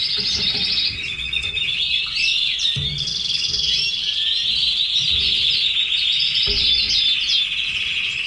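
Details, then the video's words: Caged red canaries deliver an unbroken stream of high, rolling trills and chattering notes, several birds overlapping, with soft low knocks or taps every second or two underneath. "Canary sings"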